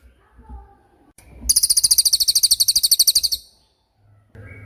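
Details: Tembakan from a racket-tailed treepie, a tutor recording for white-rumped shamas and other songbirds: after low murmurs, about two seconds of rapid, very high, crisp repeated notes pour out evenly, then stop abruptly, with faint low sounds after.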